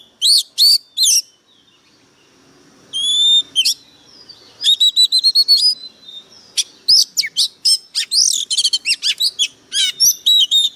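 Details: Oriental magpie-robin used as a lure bird, singing hard: bursts of loud, sharp chirps and rapid trills, a rising pure whistle with a quiet pause, then fast varied phrases to the end.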